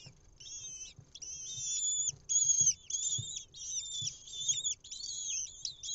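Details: Lesser kestrel chicks, hatched 28 April to 2 May, in a nest box in Israel on 6 May 2021 as the mother brings an insect, beg with shrill, wavering whistled calls in urgent overlapping bursts of about a second, over faint low rumbling.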